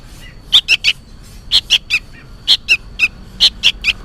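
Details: Juvenile sooty-headed bulbul calling for its parent, rapid harsh chirps in quick groups of two or three, about a dozen notes in a few seconds.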